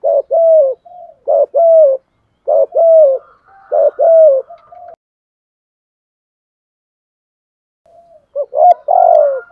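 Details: Spotted dove lure bird cooing in the 'thúc gù' driving style: several two-part low hoots in quick succession, then a long pause and a fresh burst near the end.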